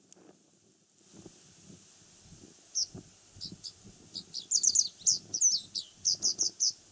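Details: Japanese wagtail (Motacilla grandis) song: high, sharp chirped notes in quick, uneven bursts growing busier toward the end, faint low rumble; it visits residential areas and sings from antennas in warm weather; Japanese wagtail.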